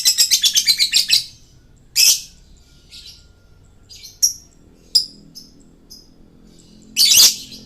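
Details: Male lovebird in full song, a lure recording for attracting birds: a rapid burst of harsh, buzzy chattering notes, then scattered shrill squawks and short high chirps spaced through the rest.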